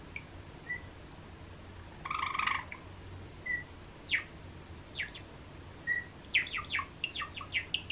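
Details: Cream-coloured pet Java sparrow calling in its usual rhythm: short clipped chirps, a brief buzzy trill near two seconds, then sharp downward-sweeping notes quickening into a rapid series toward the end. Faint low hum underneath.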